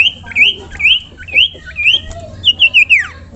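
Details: Song of a common iora used for training birds: quick series of bright rising and falling whistled notes, a fast trilled ending that drops in pitch, low background hum.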